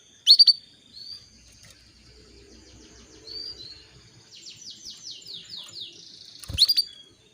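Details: Female canary calling a male into breeding condition: a loud doubled chirp opens, then a quieter background bird sings whistles and a fast descending trill, before another sharp double chirp closes.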